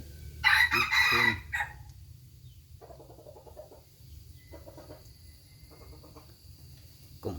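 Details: A rooster gives a loud, rasping crow in the first second and a half, followed by soft repeated clucking bursts and a low background hum.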